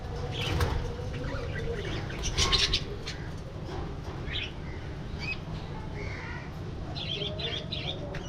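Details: Colourful budgerigars flying and playing in an aviary give scattered short chirps and rising squeaks, with a brief burst of chatter early on and more twittering near the end, over constant low background noise.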